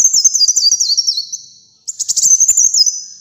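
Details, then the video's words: Kolibri muncang sunbird singing strongly. A thin, zigzagging, descending warble of very high notes fades. After a short silence a new phrase opens with quick stuttered notes and a wavering trill. "Kolibri Muncang Gacor Dor"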